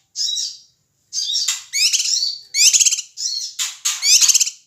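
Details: Noisy ashy tailorbird calling, meant to stir up other birds: rasping, stuttering high squawks, each burst about half a second long, repeated roughly forty times a minute.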